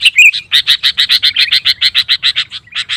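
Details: Sooty-headed bulbul in full song, meant to rile other bulbuls into answering: a short slurred whistle, then a fast, even chatter of harsh chirps, about three notes a second.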